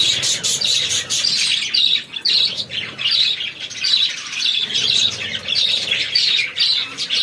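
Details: Chicks of the domestic chicken peeping nonstop while feeding, many overlapping high piping notes forming an even, busy chatter.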